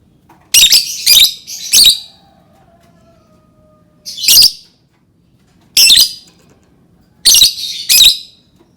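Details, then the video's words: Lovebird calling with sharp, piercing squawks in clusters of two or three, separated by pauses of a second or more; faint tonal sound briefly behind. "Suara Burung Lovebird"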